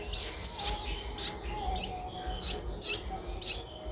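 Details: High, sharp, slightly rising chirps from eight-day-old Streak-eared Bulbul nestlings, six in four seconds at an uneven pace, recorded 10 April 2023 in Ubon Ratchathani, Thailand, with faint low hum behind.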